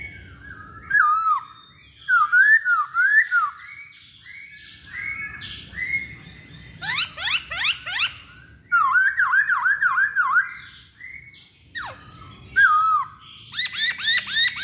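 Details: Chinese hwamei in full song, pouring out loud, varied whistled phrases: wavy, warbling notes repeated in quick runs, sharp upward-sweeping slurs, and brief high trills, with short pauses between bursts.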